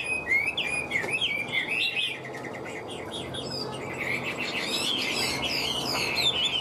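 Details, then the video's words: Cage-kept Hwamei, said to sing and fight very well, opens with quick rising whistles and fast repeated notes, then continues more softly with thin high warbling. "Họa mi vip đuôi lá vả cứng, hót cực tốt đấu tốt"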